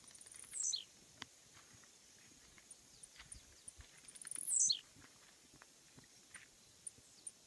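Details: Two songs of a Blue-black Grassquit (Volatinia jacarina), each a brief, very high, wheezy buzz dropping steeply in pitch, about four seconds apart, with faint ticking and a thin constant high tone behind.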